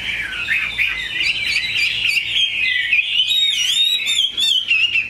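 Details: Pure-bred, large-bodied Chinese hwamei kept as a pet, singing a continuous warbled stream of bright whistles and quick trills. Rapid notes near the end turn sharper and higher.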